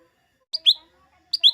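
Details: Lesser green leafbird, its song used to stir green leafbirds before contests: two matching doublets, each a short sharp high note then a longer lower slurred note, repeated after about eight-tenths of a second.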